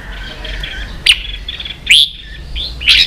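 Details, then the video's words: Vietnamese caged red-whiskered bulbul singing competitively, three loud sharp whistled bursts spaced under a second apart over softer continuous twittering. "Chào mào kích đấu căng lửa chơi cực hay"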